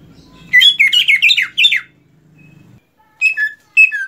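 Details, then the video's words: Greater green leafbird (cucak ijo), a kept songbird after its moult, delivers a fast string of bright, slurred, downslurred notes over a low background hum, pauses, then adds two short chirpy phrases. "agar cucak ijo rajin berkicau setelah beres mabung"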